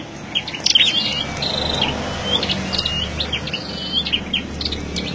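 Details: Caged flowerpecker kept as a lure bird in a wide mesh cage. It gives thin, high, sharp chirps and short ticking notes in loose, irregular bursts, with a faint low hum underneath.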